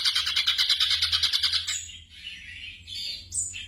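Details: Black drongo song for training caged birds at night: a rapid, harsh pulsed chatter for over a second, followed by thin high whistles and short sliding notes.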